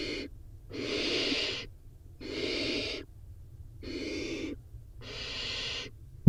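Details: Barn owl chicks in a nest box at feeding time, four nestlings competing for prey; four even, breathy hissing screeches of about a second each, evenly spaced, over a low constant hum, ending with a sharp knock.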